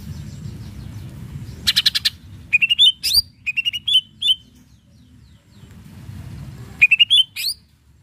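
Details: Greater green leafbird, cucak ijo, in gacor song intended to stir other birds to answer: clusters of sharp upslurred whistles and quick chirps repeated in three bursts, a buzzy trill early, over low steady background hum.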